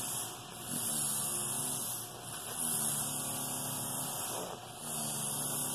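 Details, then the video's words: Male Senegal parrot imitates a demolition hammer, "Rrrrrrrr rrrrrrr," in three long, rough, buzzing bursts of low rattling noise lasting one to two seconds each with brief pauses; he learned it from his room while workers tore up the kitchen floors. "Senegal Parrot makes the sound of a demolition hammer"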